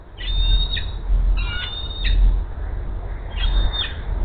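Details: Female bald eagle at the Hays nest giving her food-begging 'siren' at 10:39 AM as the male flies in with a rat: three bursts of high, thin squealing whistles with chittering notes, over low rumbling background noise.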